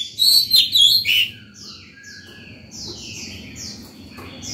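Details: White-rumped shama singing in the morning to call other birds and train young birds: a loud one-second string of tumbling whistles, followed by softer, rapidly repeated higher notes.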